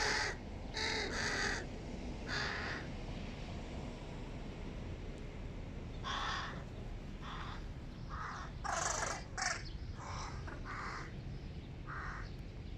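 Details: Big hooded crow youngsters at a family breakfast call insistently with rough, hoarse caws, in clusters at the start and again in a dense run of about eight calls later on, with steady low background hum.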